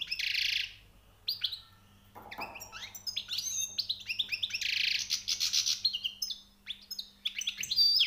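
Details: European goldfinch, newly caught, singing high notes: bursts of rapid twittering and sharp rising chirps broken by short pauses, with a faint low hum behind.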